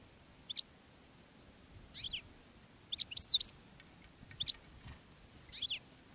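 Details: European goldfinches in open country with a decoy goldfinch and a female goldfinch in a rockrose bush calling in wild birds. Five short bursts of high, tinkling twittering are spaced about a second apart.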